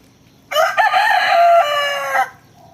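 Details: A rooster crowing: one long, loud, harsh crow lasting almost two seconds. It opens with a short rising note and then holds a strained, nasal tone that ends abruptly. The background is quiet.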